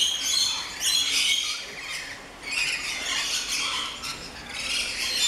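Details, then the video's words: A noisy flock of Rainbow Lorikeets in an aviary garden at an orchid farm in Luttelgeest gives shrill, rasping screeches and chatter that overlap almost without pause. "Regenboog Lori's"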